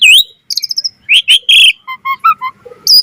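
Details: Short passage of Asian pied starling song with full repertoire, meant for training other starlings: a rising whistle, a chattering run of high notes, loud harsh bursts, then soft lower repeated notes.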